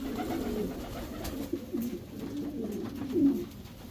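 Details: Racing Homer pigeon, a domestic breed, cooing in a breeding section: a few low drawn-out coos with a sharper note near the end, plus knocks and room hum.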